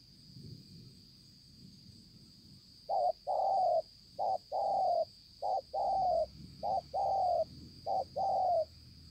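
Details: After a few quiet seconds, a spotted dove, dated 5/9/2020, delivers mellow coos in pairs, a short note then a longer falling one, repeated steadily, with a constant high insect-like tone throughout.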